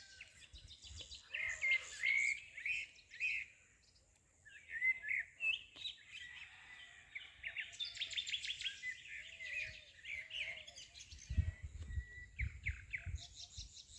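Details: Several birds twitter busily. Clusters of sharp, high chirps and trills come in bursts with short pauses between, alongside quieter lower notes. Near the end, low thumping noise rises in the background.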